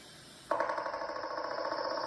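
A Pileated Woodpecker drums in a rapid, even burst of knocks that starts suddenly and holds steady for over a second, played back indoors with a slight hollow ring.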